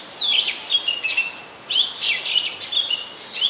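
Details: Oriental magpie-robin singing in Ubon Ratchathani, Thailand, 24 December 2020; loud clear whistled notes, a descending slur then steady high tones, two phrase bursts separated by a brief gap.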